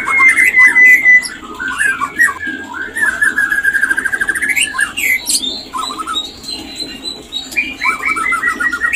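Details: White-rumped shama mating call used to bring a caged bird into breeding condition: rich, varied whistled phrases with rapid trills and slurred notes, a long clear whistle at the start, dense and continuous throughout.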